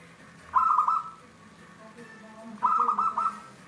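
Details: Local, wild-type zebra dove with a clear, carrying song style called cristal tembus: two stuttering cooed phrases of quick, pulsed notes, about two seconds apart, over a low background hum.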